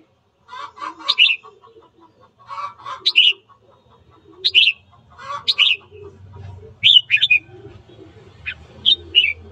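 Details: A red-whiskered bulbul sings in the morning, a recording for stirring birds to fight; chattery lower notes lead into crisp whistled phrases, repeated in bursts, with a low rumble later on.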